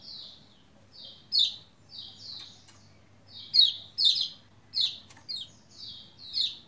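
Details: Song of a Lombok white-eye meant to prompt other white-eyes to sing: a series of high, thin slurred phrases, each ending in a bright falling chirp, repeated with short gaps.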